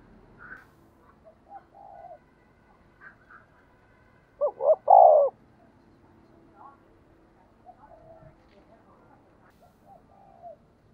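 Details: Decoy spotted dove, kept for luring wild birds, gives a single loud cooing phrase of two short notes and a long coo midway, amid faint scattered soft coos and murmurs.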